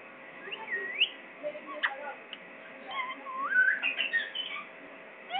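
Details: Pakistani parrot making soft, scattered whistles, a looping upswept note early on, then a louder series of slurred rising whistles and chatter toward the end.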